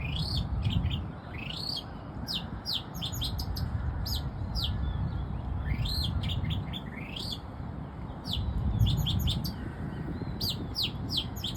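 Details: An Oriental magpie-robin in Bangkok, Thailand, sings a rich, varied run of clear whistles and quick sweeping notes in short bursts, over a steady low rumble of distant traffic.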